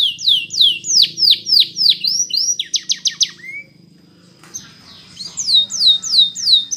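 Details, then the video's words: Canary, Spanish Timbrado style training song played to teach canaries to sing: high rapid repeated downslurred notes, then fast trills, a pause with a thin steady whistle, and more sweeping slurred notes near the end. "Many Canaries Sang Along After Listening To This Song"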